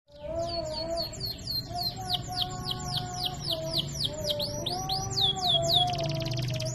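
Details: Canary in full, vigorous song with luxurious melodic turns, used as a tutor recording: rapid downward-sweeping notes repeated about four per second, a buzzy trill near the end, over a steady low hum.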